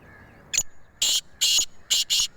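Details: Sindh, Pakistan: a black francolin calling in a series of five hissy, grating notes. A short first note is followed by four longer ones spaced roughly half a second apart, the last two nearly joined.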